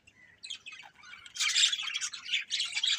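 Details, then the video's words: Budgerigar breeding pair, starting with soft scattered chirps that swell into loud, buzzy, rapid chattering. "Colourful Budgies Chirping Sounds"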